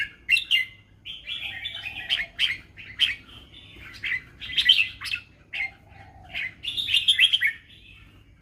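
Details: Red-whiskered bulbul singing a fancy 'mae bot lak wai' song style: bright, warbled phrases of quick rising and falling notes, each about a second long. They come in bursts with brief pauses, and a soft low whistle appears twice.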